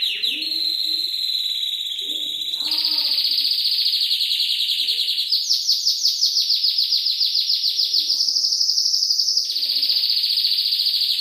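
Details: Canary singing a champion-style tutor song, with trickling water added to calm birds: long rapid rolling trills at a steady high pitch, switching abruptly to higher or lower tours every few seconds, with soft lower chirps beneath.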